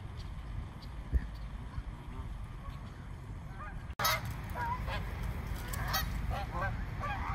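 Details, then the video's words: More than one hundred frightened swans crowded in a small park: a few faint honks at first, then a sudden loud burst of many overlapping nasal calls with broadband noise, continuing to the end. "Flock of frightened swans"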